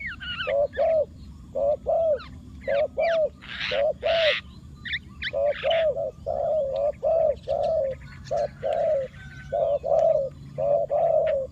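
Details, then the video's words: Decoy spotted dove calling to lure wild doves: low, husky coos given in pairs and short runs, about one note per second, with brief high chirps from other birds and faint background hum. "chim cu mồi gáy gọi bổi"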